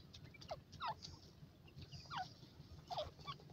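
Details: Partridge chicks in a forest in Iran, part of a race competition, utter four thin, quickly falling peeps spaced about a second apart, with faint rustling and a low hum underneath.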